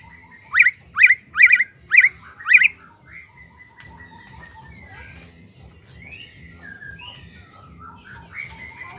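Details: Lure song of a white-rumped shama meant to stir a silent bird: five loud, sharp upswept notes in quick succession, then a quieter stretch of soft varied whistles and short slurs.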